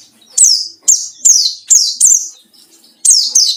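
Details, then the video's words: A white-eye's high, forceful chirps, used as a lure for rival birds, fall steeply in pitch and follow one another about every half second, with one short pause before a final pair. "burung pleci ngalas cari lawan//ampuh buat pancingan"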